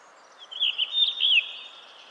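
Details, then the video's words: Blue rock thrush (Monticola solitarius) singing a single short phrase of warbled, slurred whistles lasting under a second, ending in a sharp downward sweep, over faint steady background hiss. "Как поёт синий каменный дрозд? How the blue stone thrush sings?"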